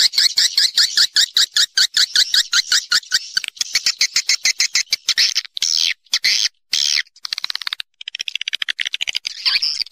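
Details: Swiftlet lure call for drawing birds to roost, from a natural recording: a rapid train of short, sharp chirps that blurs into a denser buzzy chatter, then comes as broken bursts with brief gaps.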